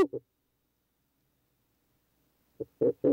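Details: Ural Owl male visiting a nest box entrance on a July 2023 night, giving low hohoho hoots: two quick notes at the start, a long silence, then three more short hollow hoots at the end.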